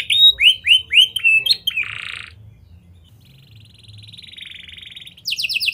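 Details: Canary singing with lovebird- and prinia-style phrases, intended as a lure to get other canaries singing long: a few loud, separate swooping notes, a buzzy burst, then a soft thin trill fading and a quick loud trill returning at the end.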